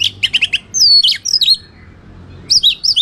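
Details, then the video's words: Caged white-rumped shama in full fighting song, used to provoke rival birds into aggression: loud, rich, varied phrases of quick repeated chips, then sweeping whistled slurs, pauses and bright rising-falling notes. "SUARA BURUNG Kacer gacor isian NGEPLONG TARUNG ini paling AMPUH buat PANCINGAN KACER agar EMOSI"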